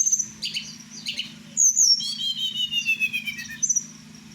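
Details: Blue flycatcher, a kept tledekan Merapi, sings at night: a few high chips, then a long sweet whistle that slowly descends, ending with a bright high note. A faint low hum continues.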